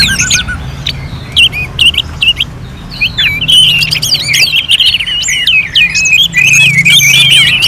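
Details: Orange-headed thrush song styled like a contest simulation, starting with sparse clipped whistles and growing into a dense, rambling stream of varied slurred notes and high chirps.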